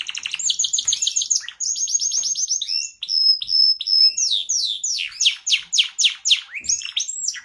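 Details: Canary singing a long, fast, high song of rolling trills and buzzy repeated phrases, with bright sliding whistles, continuous throughout.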